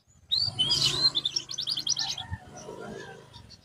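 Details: Domestic canary singing, played as therapy for a bird that has lost its singing form: a burst of high, bright warbled notes followed by a rapid even trill, over a low background rumble.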